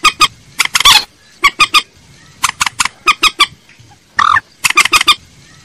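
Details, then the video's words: Lure call of a common moorhen, with short groups of rapid, clipped clucks separated by brief pauses and two louder, grating squawks, one early and one near the end. "Tiếng trích ré mồi chuẩn - tiếng cuốc biển"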